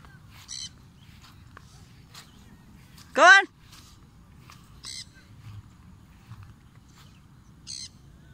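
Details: A Triton cockatoo (Cacatua galerita triton) flying free gives one loud, harsh, grating screech lasting about half a second, with fainter short high calls and a person's voice around it.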